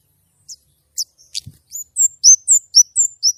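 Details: White-rumped shama singing gacor nembak with a clear voice: a few soft notes and a low thump, then a rising run of about eight loud slurred whistles, four per second.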